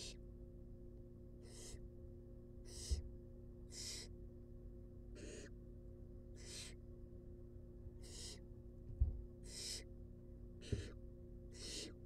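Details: Begging from wild barn owl chicks as they are fed in a nest box: short, rasping hiss-screeches repeated roughly every second, with occasional soft knocks and a constant low background hum.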